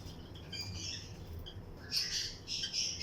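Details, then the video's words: Lutino lovebirds in pairs in a breeding colony aviary, chirping alongside other birds; sparse faint chirps early, then a loud burst of shrill, high chirps from about two seconds on over a low steady hum. "Lutino Lovebirds Breeding Colony Cage - Chirping and Relaxing Sound"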